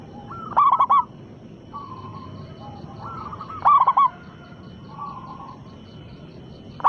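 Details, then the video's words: Zebra dove, a local bird with a big voice, calling as a lure to draw answers: two loud clipped coo phrases about three seconds apart, with softer slurred coos from other doves in between. "perkutut lokal gacor suara besar pancingan sekali putar pasti langsung nyaut"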